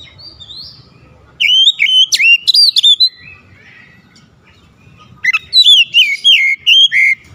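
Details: Oriental magpie-robin song, played to restore singing in birds that have stopped: bright, loud whistled phrases of quick varied notes, sliding up and down, in two bursts separated by a quiet gap with a faint high whistle.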